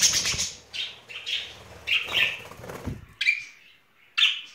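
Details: Budgerigars, a courting pair in spring: short chirps over a rustling, flapping-like noise, followed by two clear separate chirps.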